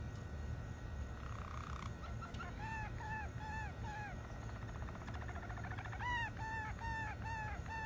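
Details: Malinois canary song over a steady low hum: a soft trill, then repeated arched whistled notes, a fine rapid roll, and a clearer run of bubbling notes near the end.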